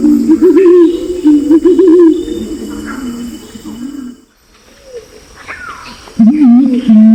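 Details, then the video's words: Pinon's imperial pigeon, male and female, giving lure calls: a run of low, quavering hooted notes for several seconds, a quiet stretch, then the deep wobbling coo resumes. "suara pikat jantan dan betina burung pergam alis merah"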